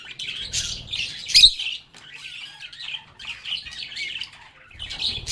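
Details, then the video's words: Lovebirds singing, playing and talking: squawky, overlapping chatter with one loud harsh squawk early on, a brief lull, then renewed chirping and soft knocking. "Lovebirds agapornis sounds | Relaxing Sounds of Singing, Playing, and Talking Parakeets"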